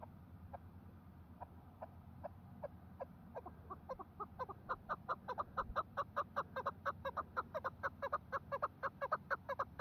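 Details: Chukar partridge calling in snowfall: a series of clucking chuk notes that starts slow and sparse, then speeds up and grows louder to about two per second, over a steady low background rumble.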